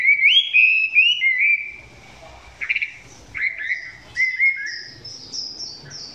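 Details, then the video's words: Chinese hwamei singing at close range, song said to be not yet fully intense; rich slurred whistles at the start, then softer, scattered whistled notes and high thin phrases with faint background rustle. "Quay gần em mi hót chưa căng lắm nhưng tạm chơi được"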